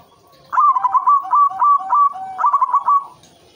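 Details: A white zebra dove sings as a breeding lure: a fast stuttered opening, a string of mellow coo notes with lower echoing undertones, then a renewed quick rolling phrase.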